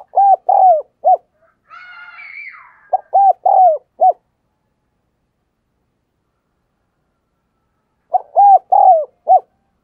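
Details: Spotted dove used as a decoy, cooing vigorously to spur other doves to call: three low, mellow four-note coo phrases, each a short note, two longer swelling coos and a clipped final note, with a brief raspy higher sound between the first two.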